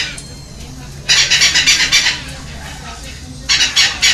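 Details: Feeding-time begging by two baby red-lored amazons at a Costa Rican rescue ranch in Heredia Province, May 2022: a quiet start, then a burst of rapid rasping squawks, a pause, and a shorter second burst.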